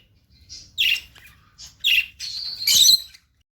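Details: Lutino lovebirds, pet birds, giving a few bright high chirps and harsh squawky notes in short bursts, ending in a louder scratchy call, with faint low background hum.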